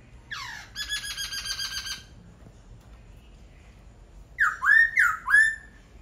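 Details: Laughingthrush singing: a falling slurred note, a run of rapid buzzy pulses, then three loud rising-then-falling whistled phrases in quick succession.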